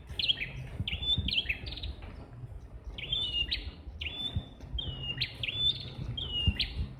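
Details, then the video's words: A red-headed prinia, seemingly one of two singing in a jackfruit tree, gives bright, sharp chirping phrases of quick upslurred notes in bursts about every second, over a low background rumble. "Prenjak Kepala Merah Suara Gacor"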